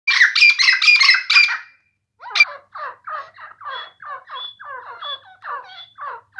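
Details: Grey francolin calling: about two seconds of loud, harsh, rapidly repeated phrases, then after a short pause a steady run of shorter, clipped notes repeated about four times a second.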